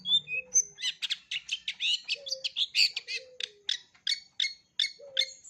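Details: Long-tailed shrike, full repertoire recording meant for young birds to learn from: a rapid, varied chattering stream of scratchy and whistled notes, dense and unbroken, with a few low faint hums between phrases.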